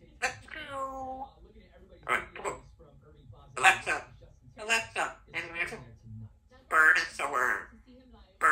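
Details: Chatty pet female Congo African grey parrot indoors, producing a string of speech-like mimicked words and phrases in separate bursts with short gaps, voice-like and harmonic, in a quiet room.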